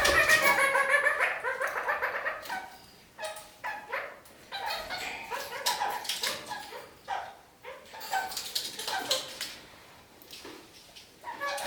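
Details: Several New Zealand parakeets climbing upside down across a ceiling, singing a lot: an opening burst of harsh, harmonic chattering notes, then quick repeated ki-ki notes in short clusters with brief pauses between bursts, indoors.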